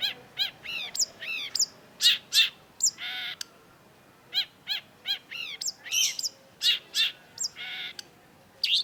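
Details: Long-tailed shrike, locally called cendet, in energetic 'gacor' song used as a lure track to rouse silent birds: quick bursts of harsh, chattering notes and sharp downward-sweeping whistles, grouped in clusters with brief pauses, over a quiet background.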